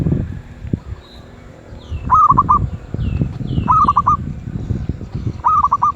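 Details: Zebra dove in 'suara sedang' (medium voice) style: three quick, rolling four-beat coo phrases about one and a half seconds apart over steady low rumble, with thin higher bird calls above.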